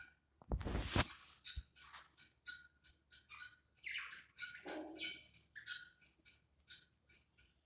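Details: A pair of pet budgerigars relaxing indoors in winter, giving soft, scratchy warbling chatter in short uneven bursts throughout, with a loud rustling knock near the start.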